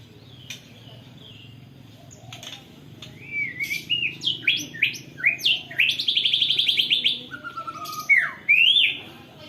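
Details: Rolling song of a white-rumped shama trained with canary phrases, recorded by phone: a quiet start, then rising whistled notes building into a fast, buzzy high trill, ending with falling and sweeping whistles.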